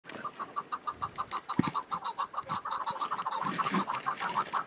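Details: Wild chukar partridge calling in spring mountains with patches of snow: a steady run of clucking notes, about three per second, growing louder and more crowded, with wind and scattered clicks behind.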